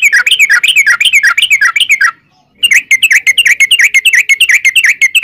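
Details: Vigorous long rolling 'ropel panjang' song of a sooty-headed bulbul, recorded as a lure to provoke answering song: quick chattering strings of bubbly, dipping notes, broken by a brief half-second silence before the rapid series resumes.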